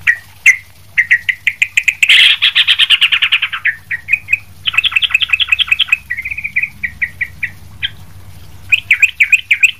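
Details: Sooty-headed bulbul, kept for training other birds, in a lively chattering song: fast buzzy rattles and repeated bright chirps, a dense burst near the start, then quick trills and short whistled notes, quiet background.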